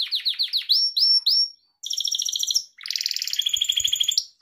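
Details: Pet Gloster canary song for training: quick falling notes and rising whistles, followed by two long buzzy rolling trills separated by a short break.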